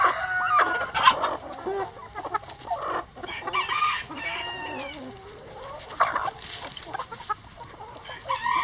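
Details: Rooster crowing amid hens eating eggs in a coop; rough, buzzy crow phrases stretch over a second or more, mixed with busy overlapping clucks, squawks and pecking noises throughout.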